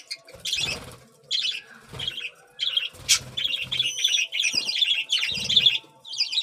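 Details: Budgerigar chicks call for food during feeding: rapid scratchy chirring bursts repeated roughly every second, with low thumps and handling noises under several calls.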